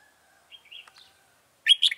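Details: Red-whiskered bulbul recorded during trapping with a decoy bird on 26 June 2018, giving fighting song: faint whistled notes, then a loud, bright burst of quick warbled phrases at the end.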